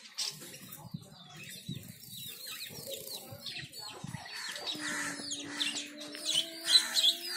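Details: Two zebra finches at their bath; a run of quick, downslurred chirps, several per second, over a faint steady hum that starts midway, with soft fluttering.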